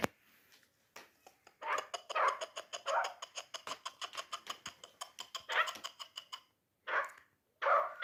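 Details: Hunting chukar partridge, three years old, delivering a fast run of clipped chattering notes that build in loudness, followed by two separate harsher calls after short pauses.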